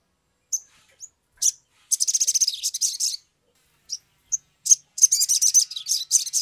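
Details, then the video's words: Excited Sumatran leafbird song used as a lure to get birds singing quickly; isolated high chips alternate with two fast, rattling, very high-pitched chattering runs of about a second each. "pancingan sogok ontong atau SOGON biar cepat bunyi"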